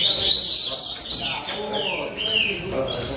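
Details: Rusty-collared seedeater song during a singing competition in São Vicente: a bright burst of high twittering followed by long clear down-slurred whistles, with other birds and low voices behind.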